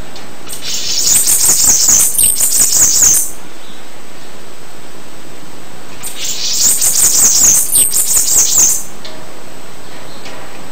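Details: Two high, sibilant Bananaquit song bursts, each about three seconds of fast, wheezy, tumbling notes, the second following six seconds after the first, with near silence between them.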